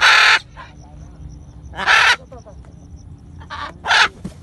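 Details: Macaw in free flight in Bandung giving three loud, harsh, raspy squawks about two seconds apart, with faint softer sounds in between.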